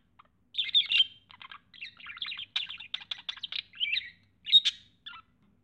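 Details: A budgerigar seeing a mirror for the first time chatters in a fast run of scratchy chirps and warbled notes.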